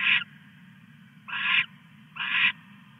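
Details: At 2:34 AM on August 22, 2015, a male owl brings a mouse to the female on a live camera. Three loud, coarse, hissing screeches, each about a third of a second, come roughly one second apart over a low hum.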